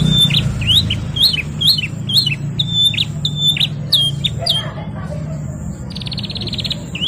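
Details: Canary in full 'gacor ngerol nembak' song: quick, bright, high slurred notes come roughly twice a second, then a short pause and a fast buzzy rolling trill, all over a low mechanical hum.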